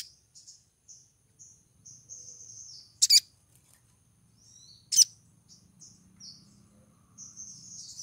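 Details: Female crimson sunbird in breeding condition calls to attract a male: scattered thin, high, slurred notes and short trills broken by two loud, sharp chips about two seconds apart, with a faint low hum beneath.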